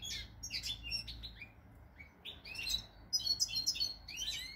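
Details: European goldfinch singing, recorded 8 February 2020: rapid tinkling twitters and chirps, some with rising slurs, building into a dense, busy run of high bright notes over a faint low background hum.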